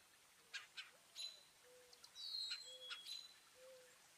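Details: Garden birds calling at a New Jersey feeder, northeast USA, on 5 April 2024, a partly cloudy day (36–50°F) of a 4.8 magnitude earthquake: brief high chirps and thin whistles, with a soft low whistled note repeated about every second.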